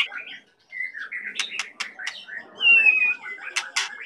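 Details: Singing white-rumped shama from Medan, softer and more distant, with slurred whistles, sharp vertical clicks and one long thin whistle falling slightly; faint background noise underneath.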